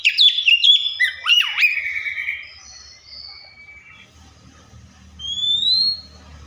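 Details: Oriental magpie-robin mimicking other birds: a few quick whistled and chipped notes, then long drawn whistles fading, a lone rising whistle later, with faint low background noise.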